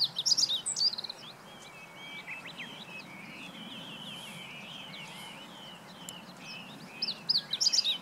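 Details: Meadow bunting singing in Japan on 20 March 2015: two bright, high, rapid phrases of sharp clipped notes, one at each end, with softer chirps of other birds filling the gap.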